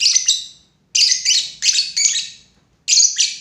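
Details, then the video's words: Lovebird making loud, grating double chirps repeated in quick succession, each pair rough and very high, with brief gaps. "lovebird // burung cinta"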